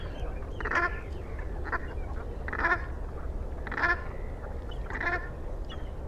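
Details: Harsh, guttural calls from brant geese, one roughly every second, some overlapping fainter calls behind, over a heavy low rumble of wind or water.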